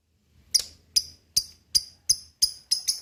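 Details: Lovebird calls aimed at getting lovebirds to sing: a quick run of sharp, squeaky shrieks roughly every third of a second, closing with doubled notes, over a faint low hum.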